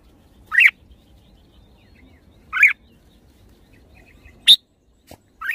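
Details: Red-whiskered bulbul calling with short rising whistled notes about every two seconds, plus a brief click and a sharper high note, against a quiet background.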